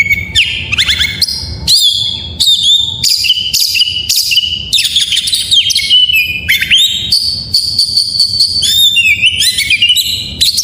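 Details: Full isian song of an Oriental magpie-robin, a tutor recording to get idle birds singing: fast mixed phrases of whistles, harsh chatters and rising slurs, with a long level whistle near the end, continuous for over ten seconds.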